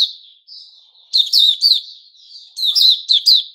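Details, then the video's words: White-rumped shama song, 29 August 2021: soft, thin, drawn-out notes lead into two loud clusters of rapid, harsh, high chirps separated by a quieter warbling link. "Puteh Raja Sing Buka"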